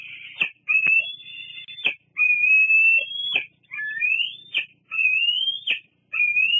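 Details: Bald eagle squeeing at its mother and another eagle at Fraser Point in August 2022: six long, thin whistled squeals. Each slides gently upward and ends in an abrupt crackling note, with brief gaps between them.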